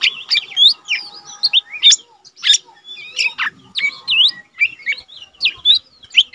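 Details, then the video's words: Lesser green leafbird in a cage, an untrained bird singing diligently, tutor material for training cage birds. A continuous medley of rising and falling whistles and sharp chirps with almost no pauses. "cucak ijo mini bahan udah rajin bunyi"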